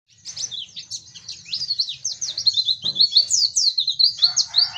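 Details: Oriental white-eye, local Dakbal, Pacitan and Muria varieties, in open-beak singing: a rapid, high, scratchy twitter of quick down-slurred notes that runs on almost without pause, with a faint low hum underneath.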